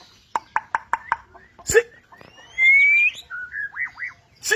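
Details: White-rumped shama giving a quick series of dry clicks, a loud harsh burst, then a long, clear rising whistle followed by looping, wavering whistled notes.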